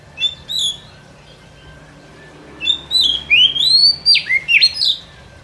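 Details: White-rumped shama lure song for catching birds in the forest, opening with two soft notes, then after a pause a fast rising series of bright whistles and sharp downward slurs.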